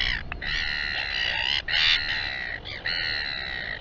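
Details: Royal albatross at Taiaroa Head near Dunedin, New Zealand, colony camera: drawn-out, steady, reedy braying notes with a few short breaks and one louder swelling phrase.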